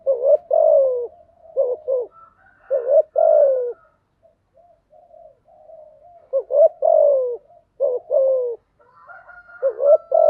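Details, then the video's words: Repeated cooing phrases of a spotted dove, played to get newly caught birds singing; low two-part notes ending in drawn-out falling coos, with a fainter dove calling in the background. "tiếng chim gáy dùng tập chim bổi mới hiệu quả/ tiếng gáy kích bổi gáy ngay"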